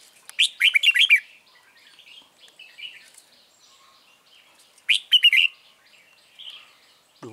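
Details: Red-whiskered bulbul serving as a trap lure sings two loud, bright warbled phrases about four seconds apart, with quieter chirps and twitters between them and a low thump at the end.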